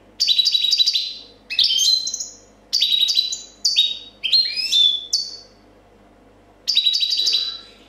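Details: 2014 champion European goldfinch performing clean copia song: loud dense twittering phrases with buzzy trills and sweeping descending slurs, delivered in bursts of about a second separated by short gaps, with a longer pause before the last.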